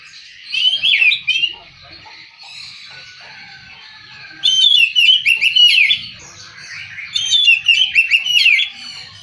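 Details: Oriental magpie-robin singing; three loud bursts of rich, varied warbling with quick whistled and chattering notes, separated by quieter pauses of faint twittering.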